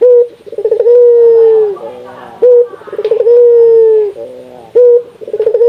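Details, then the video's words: Local Indonesian barbary dove, its call played to stimulate other doves to call: a pulsed rolling start flows into a long, steady, slightly falling coo, repeated about every two and a half seconds. "Suara burung puter lokal gacor, merangsang burung puter agar rajin bunyi"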